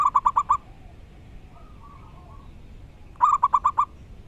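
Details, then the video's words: Loud, clear song of a wild local zebra dove: two bursts of five staccato, ringing coos about three seconds apart, with soft wavering notes between them. "Burung perkutut lokal alam gacor dor suara keras & lantang"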